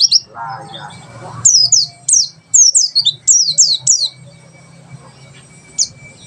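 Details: White-eye in tembakan sejalur song: a short string of high, steeply falling whistled notes, spaced about every half second, followed by near quiet with one isolated note and a faint steady tone.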